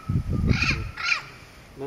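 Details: A Turquoise-fronted Amazon at Pouso Alegre, Pantanal, Brazil, on 23 September 2013, gives two harsh, raspy squawks about half a second apart, the second slightly rising. People talk quietly in French underneath.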